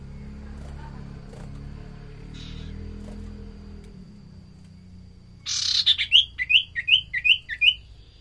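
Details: Common iora (Aegithina tiphia) giving a quick run of about seven high, downslurred whistled notes, roughly three per second, after several seconds of low rumbling background noise; song used as a lure to draw other birds into singing.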